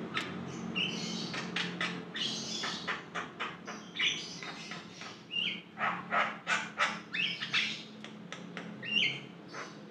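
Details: Javan myna (jalak kebo) singing continuously as a master or lure track: dense, rapid stream of harsh chattering notes, clicks and short whistles, irregular and busy throughout, with a constant low hum underneath.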